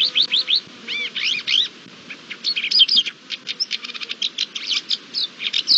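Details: Courtship-display song of a Thekla's lark, 28 March 2022: rapid rising chirps and arched whistled notes, then a fast varied jumble of sharp clicks and twittering phrases continuing throughout.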